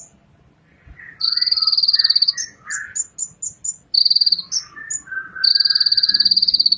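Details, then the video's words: Energetic song of an Indonesian ninja sunbird, or kolibri ninja: rapid, buzzy, cricket-like trills alternating with short piping whistles and lower warbling phrases, ending in a long trill. "suara Kolibri ninja terbaru"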